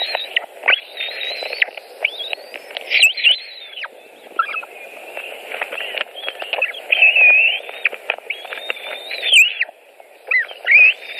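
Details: At a Latvian white-tailed eagle nest on 23 June 2018, mid-afternoon feeding time: repeated high, thin whistled squeals, some level and some dropping, interspersed with clicking and scraping sounds through most of the stretch.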